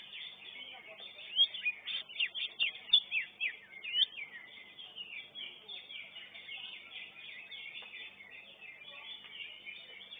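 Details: Caged greater green leafbirds (cucak ijo) at a bird-singing contest, first class: a loud run of sharp, slurred whistled notes about twice a second for three seconds, then a dense, buzzy chatter of many birds singing together.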